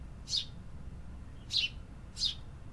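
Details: Singing city birds give three short, high, clipped chirps spaced under a second apart, over quiet low background noise.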